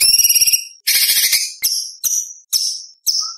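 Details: White-rumped shama in a varied competition-style song: a pulsing harmonic whistle, a harsh rasping burst, then four sharp high chips spaced about half a second apart.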